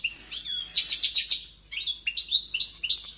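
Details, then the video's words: Vigorous song of a caged European goldfinch: quick bursts of twittering and rattling buzzy notes separated by brief gaps, bright and metallic throughout. "JILGUERO CANTANDO"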